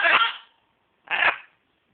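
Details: Pet macaw giving two loud, harsh coughing bursts about a second apart, each raspy and explosive, in a quiet room.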